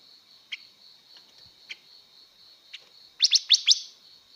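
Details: Female blue-winged leafbird singing to excite males: scattered single chips, then a quick run of four loud, sharp downslurred notes near the end, over a steady high-pitched whine.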